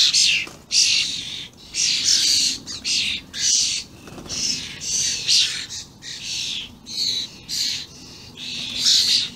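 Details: Juvenile and adult common starlings recorded 28/05/16, calling very vocally. Rapid series of short, harsh, screechy squawks come in quick bursts with brief gaps, some overlapping, with no other clear sounds.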